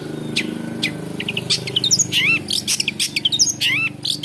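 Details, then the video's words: Long-tailed shrike, locally called cendet and known for mimicking other birds, singing a loud, varied medley of sharp chirps, rising whistles and quick slurred notes, tumbling irregularly with brief pauses. "CENDET GACOR. Long-tailed shrike bird. Lanius Schach"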